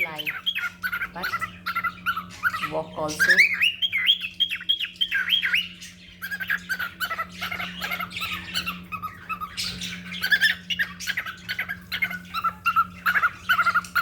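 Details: Pet cockatiel playing in a home drawing room, chattering with squawks, chirps and a rising whistled call over a steady indoor hum.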